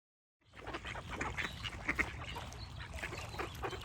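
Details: Ducks quacking with birds chirping in the background: after a short silent start, rapid, harsh, nasal quacks come in dense overlapping bursts, with several callers and thin high chirps between them.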